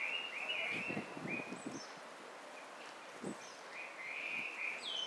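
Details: White-cheeked starling (Spodiopsar cineraceus) recorded 18 May 2019 at Gaikotsu-yama, Japan, giving harsh, buzzy, grating calls in bursts, with thin high squeaks from other birds and rustling in the background.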